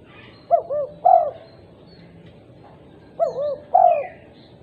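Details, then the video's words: Low, mellow cooing of a female spotted dove calling other doves, heard as two matching phrases about three seconds apart, each a brief note, a wobbling double coo, then a drawn-out falling coo, over quiet background. "Tekukur betina gacor memanggil tekukur lain"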